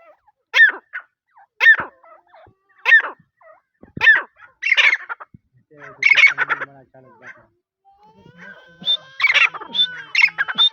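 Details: Francolin (teetar) giving loud, harsh, clipped calls repeated roughly every second, each a short burst with buzzy upper tones; later a denser run of rasping notes overlaps fainter whistled sounds from other birds.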